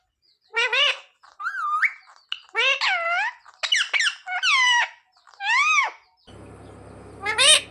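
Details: Talking parrot learning to say "mummy papa": a lively series of bent, nasal, speech-like syllables and squeaks, followed by a burst of broadband noise and a final sharp call.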